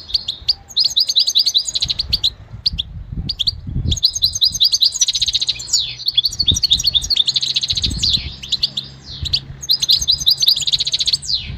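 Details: Goldfinch singing, presented as song for training a bird's singing; long rapid runs of twittering, tinkling and buzzy high notes in bursts of a few seconds with brief pauses, with faint low thumps beneath.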